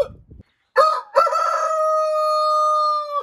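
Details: Chicken (Gallus gallus domesticus), crow.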